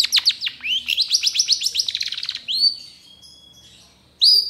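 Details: Long-tailed shrike (cendet trotol) song from a training recording for cage birds: a fast series of sharp downslurred chirps, then a sustained whistled note, a pause, and a loud closing chirp.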